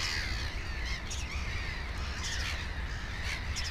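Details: Black-headed gulls by a nest with two chicks, 15 May 2016: brief rasping cries in quick succession from several birds against a low background rumble.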